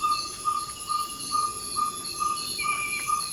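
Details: Just before dawn in Ecuador's Amazon rainforest, a ferruginous pygmy owl repeats its advertising call, short hollow 'toop' whistles on a single pitch, about eight in quick succession, with shrill insect trills droning in the background.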